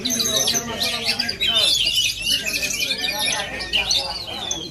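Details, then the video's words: Oriental magpie-robin from Aceh performing a loud, busy string of high whistles and warbled phrases, backed by a low hum of people talking. "Aksi kacer asli aceh"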